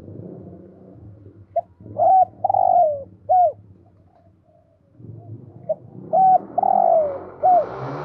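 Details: Spotted dove kept as a decoy, 'thổ' voice style, calling: two bursts of mellow coos, a short note, a long sliding coo and a clipped final note, over a steady low rumble of background noise.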